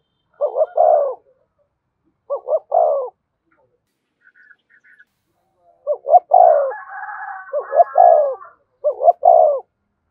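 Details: Cooing of a spotted dove used as a decoy to excite a caught bird, several low two-note-plus-long-coo phrases in bursts, with a faint higher warbling call overlapping near the middle.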